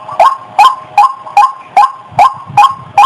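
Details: Female white-breasted waterhen in heat calling before mating, a brisk sequence of eight harsh, rising notes spaced about 0.4 seconds apart, with soft low murmurs underneath.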